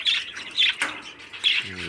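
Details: A 13-day-old baby parakeet raised in captivity by a breeder gives raspy, breathy squawks in three main bursts. A faint low hum is heard near the end.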